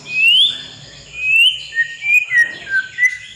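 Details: White-rumped shama song for training untrained young birds: rich, clear whistles, with long rising slurred notes and then a quicker run of short bright whistled phrases, and no other sounds.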